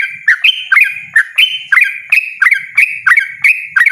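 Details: Yellow-vented bulbul giving a loud, persistent 'ropel' song: quick, liquid notes with sliding pitch, run together in a fast, uneven stream.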